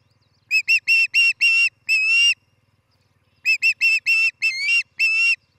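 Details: Osprey at a nest built by a pair in Charlo, Montana, on a nest camera, morning of 11 July 2018: two bursts of sharp, whistled chirps with a short pause between them. The notes stretch longer, and one rises near the end.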